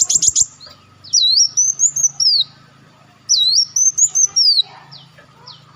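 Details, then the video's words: Olive-backed sunbird lure recording: high, clear whistled phrases that dip and then rise in a smooth arc, given in bursts about two seconds apart, mixed with short sharp chips. A faint low hum runs underneath. "audio pancingan burung madu Wulung/Muncang"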